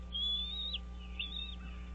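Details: Wild American bald eagle at its nest on Dale Hollow Lake, a reservoir on the Kentucky-Tennessee state line, early morning on 30 March 2023: two high, thin whistled notes, the first long and level, the second shorter and wavering, over a steady low hum.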